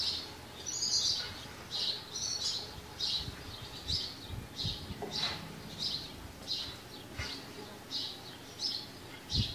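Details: House sparrows at a farm calling with repeated bright chirps roughly every half second, a continuous chirping chorus over faint low background noise.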